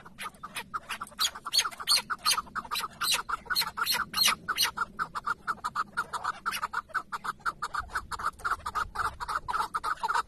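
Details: Long rapid sequence of clucking chuk calls from a tethered decoy chukar partridge during a hunt in Şırnak, Turkey, roughly three notes per second, loudest in the early part, with faint low rumbling near the end.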